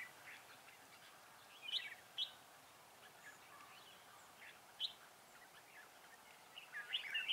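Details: Red-whiskered bulbul recorded during trapping at Vườn Táo, 19 December 2016. Sparse, quieter whistled notes come in scattered pairs, building to a brighter warbled burst at the end, over soft hiss.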